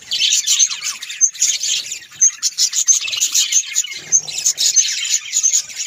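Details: Budgies chirp and twitter busily. Many quick high notes run in close succession, with bright ticks scattered through a steady flock chatter.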